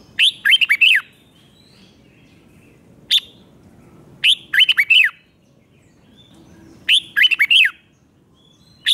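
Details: Red-whiskered bulbul five-syllable doubled song for young birds to copy; three bursts of four or five rapid, clear whistled notes, spaced roughly every three seconds, with a single short note between.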